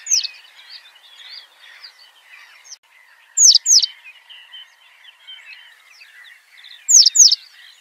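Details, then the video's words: Citrine wagtail song, loud paired sharp descending high notes given twice in the clip about three and a half seconds apart, with a busy background of faint twittering birds. "黃頭鶺鴒/Citrine Wegtail(Motacilla citreola)singing"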